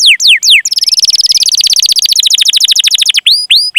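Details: Canary singing long chirps meant to prompt other canaries to sing: a few loud downslurred whistles, then a very fast buzzy trill of clipped notes, ending with two upswept whistles.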